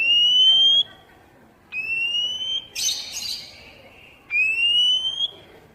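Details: Oriental magpie-robin song used to prompt caged birds into singing: drawn-out rising whistles lasting about a second, separated by pauses, with a short harsh rasping burst in the middle.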